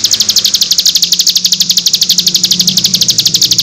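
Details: Cigun nembak variation for tutoring young birds: a very fast, buzzy trill of high repeated notes, almost ten per second, steady throughout, over a low hum.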